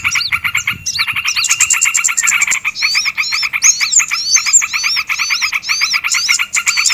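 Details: Lure call meant to pull in small birds: a fast, buzzy pulsed trill runs throughout, joined by repeated high, looping whistled phrases with brief gaps.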